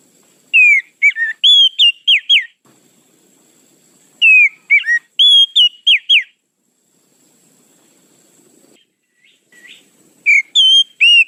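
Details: Lure song of an Oriental magpie-robin, given as rapid clusters of loud, clear whistles that swoop up and down. Three bursts are separated by short quiet gaps, and a faint low hum sits underneath.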